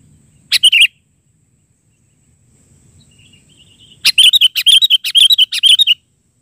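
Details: Sooty-headed bulbul singing in the chatty gacor style, bahari version: a short burst of bright chirps, then after a quiet gap a fast run of repeated sharp, clear notes, about two per second.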